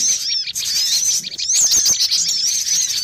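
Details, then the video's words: Noisy lure recording of cinereous tits used for trapping birds: a constant stream of very high sharp chirps and slurred whistles, closely overlapping, growing busier in the second half. "Suara pikat burung gelatik batu ribut"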